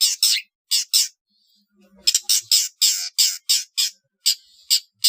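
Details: Trotol-style song of a long-tailed shrike, used to train competition birds: coarse, rasping bursts in uneven pairs and runs, broken by a short pause, then a denser chattering sequence.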